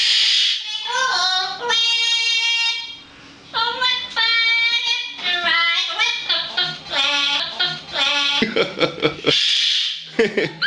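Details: A pet yellow-faced Amazon parrot (Alipiopsitta xanthops) sings mimicked, human-like sustained wavering notes and rising-and-falling phrases with brief pauses in a small indoor room, seemingly trying to annoy a cockatoo.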